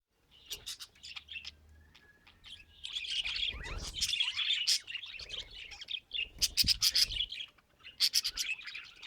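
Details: Pet budgerigars singing happily: a dense, busy warble of high chattering notes with sharp clicks and buzzy trills, rising and falling in bursts, quieter at first and then louder with rapid ticking notes toward the end.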